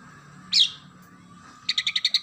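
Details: Oriental magpie-robin delivering a single harsh, buzzy high note followed by a fast, even string of about eight sharp sparrow-like chirps, part of its isian gereja song.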